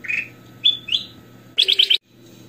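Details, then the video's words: Goldfinch song used for bird training: a slurred chirp, then two thin whistled notes, then a rapid burst of four bright trilled notes before a brief silence, with low hum beneath. "KUTILANG EMAS / GOLD FINCHES - SUARA KRISTAL BENING FULL ISIAN"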